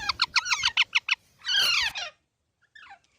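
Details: Baby parrot giving about eight rapid, evenly spaced squeaky notes, then one long rasping squawk that falls away, followed by a faint distant call.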